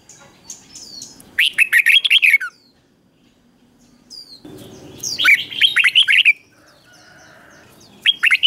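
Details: Red-whiskered bulbul in a cage delivering two bubbly, fast-warbled phrases separated by a few seconds of near silence, then the start of a third. The doubled song is played so listening birds pick it up.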